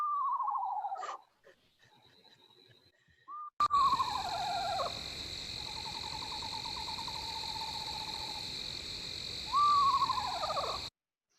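An owl gives a falling, whistled whinny and a long, even, quavering trill, followed by another descending wail, over a steady high buzzing hum.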